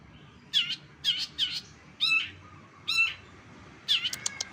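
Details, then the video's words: Long-tailed Shrike (cendet) singing a full masteran repertoire of other birds' voices, used as contest training material: five or six bursts of harsh, buzzy chirps with bright downward whistled slurs, spaced about a second apart, against a quiet background. "CENDET FULL MASTERAN SUARA KOMPILASI BURUNG LAIN"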